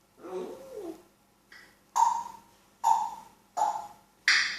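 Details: Talking African grey parrot indoors; a low wavering murmur, then four short sharp voiced calls at irregular intervals, the last one higher and harsher.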